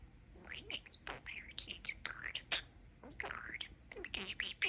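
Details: Pet budgerigar talking, a busy stream of quick chirps, squeaky warbles and scratchy mimicked speech syllables, fast and continuous with rising and falling twitters.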